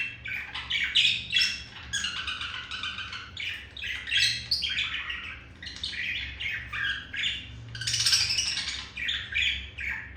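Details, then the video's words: A male budgie woos a female: lively warbling chatter of chirps, rasps and whistled squeaks, rising in loudness around eight seconds, steady and continuous over ten seconds. "Sound of seduction made by Olive the male budgie for Melody the female budgie"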